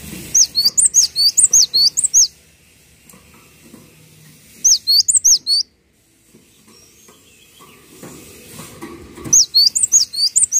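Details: Cinereous tit (gelatik watu) in a tutor recording: three bursts of fast, high, ringing two-note whistles, repeated several to a second. Pauses with soft room noise fall between bursts.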